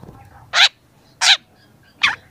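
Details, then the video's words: Young long-tailed shrike in song, recorded for training: three loud harsh, nasal squawking notes, each about a tenth of a second, spaced roughly seven tenths of a second apart. "cendet muda sudah gacor pancingan cendet malas bunyi"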